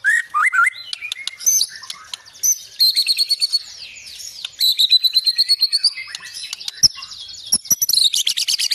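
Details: Song of a White-rumped shama praised as a top singer: varied high chattering and whistled notes, fast trills and rattling series, long rich medley with brief pauses.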